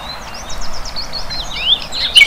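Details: Wild flycatcher giving a continuous high, thin warble of short sliding notes, ending in brighter rising whistles over a quiet outdoor background.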